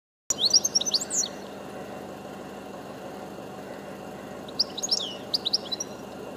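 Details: European goldfinch singing from a high perch: two short bursts of bright, tinkling twitters at the start and near the end, separated by a low steady hum of background noise.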